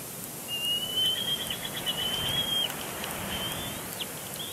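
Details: Bald eagle eaglet on its nest at Big Bear Lake on 27 April 2022, complaining loudly at its father during a tantrum. One long, thin, high whistle is held for about two seconds, with a faint rising squeal after it and background hiss.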